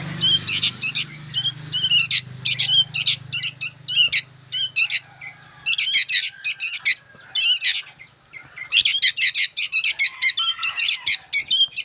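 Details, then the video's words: Rapid, rasping chatter from noisy young sooty-headed bulbuls, short harsh notes packed in quick runs with a short lull midway, over a low hum at the start. "SUARA BURUNG ANAKAN KUTILANG PALING RIBUT BERBUNYI"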